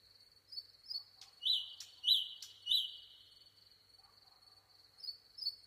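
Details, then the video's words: Nightingale song in a quiet setting: a steady high tone runs under three loud, slurred, falling notes repeated at regular intervals, followed by softer chirps. "nightingale singing.The best bird song"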